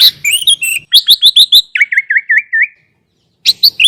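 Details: Master song for training sooty-headed bulbuls, full of varied fill notes. Quick high chirps give way to five lower looping whistles, a pause, then a final burst of chirps.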